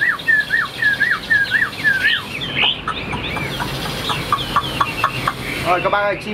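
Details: Tame caged Chinese hwamei: a string of repeated downslurred whistles at the start, then a busier stretch of mixed whistles and short chips, ending in a rapid burst of notes.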